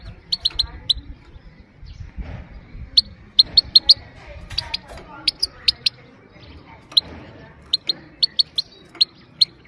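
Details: Sharp, clipped 'pit pit' calls of a female goldfinch, meant to excite males and teach young birds; bright ticking notes come singly, in doubles and in quick runs of three, over faint low background hum.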